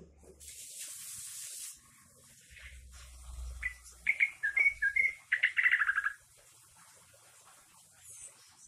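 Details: Trucuk (sooty-headed bulbul) trained with green leafbird song: after background hiss and rustling, a string of clipped whistled notes rises into a fast, rich, jumbled warble lasting about two seconds, then fades.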